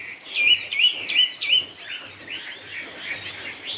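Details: Chinese hwamei, 'cao cầu' song style: four crisp upslurred whistles repeated about every third of a second, then a softer, warbling run of looping notes.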